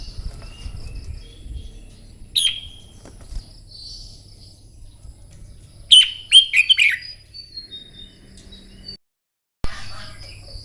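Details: Red-whiskered bulbul giving morning fighting song for contest training: a single loud chirped note, then a rapid burst of several bright warbled notes a few seconds later, over soft high whistles of other birds, with a brief silent gap.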